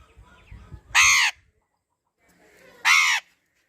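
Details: Pet parrot giving two loud, harsh squawks about two seconds apart, each a short rasping burst, with faint low background noise before the first.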